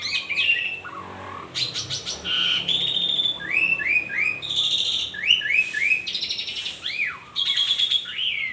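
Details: Asian pied starling singing during the morning: varied whistled slurs, repeated upward-curving notes and rattling bursts, delivered continuously.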